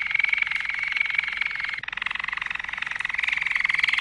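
A Malinois canary sings a continuous rolling trill of rapid, evenly pulsed notes at a fairly low pitch, with one brief break partway through.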